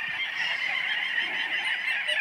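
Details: Little auks chatter in a dense Arctic breeding colony chorus: rapid, overlapping, buzzy trilled calls at mid to high pitch, with no pause.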